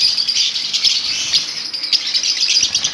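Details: Lovebird colony chatter: steady, loud overlapping shrill chirps and squeaky twitters from many birds, forming an unbroken high-pitched din.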